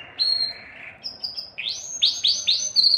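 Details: Belgian canary song used to stimulate females for breeding: sustained high whistled notes, then a series of four or five quick upward-sweeping chirps repeated about every quarter second over faint background hiss.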